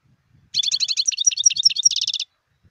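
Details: Wild European goldfinch delivering one continuous burst of fast, high, tinkling twitters of varied notes for nearly two seconds. The burst ends in a quicker, even-pitched trill.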